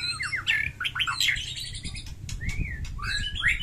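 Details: White-rumped shama singing hard in a fighting mood with a rich, varied song: quick sweeping whistles rising and falling, scratchy notes, then a clear drawn-out slurred whistle and more tumbling phrases.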